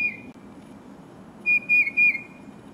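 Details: Tufted titmouse singing near a Carolina wren: the tail of one whistled note, then a loud, clear phrase of three slurred whistles, each slightly lower than the last.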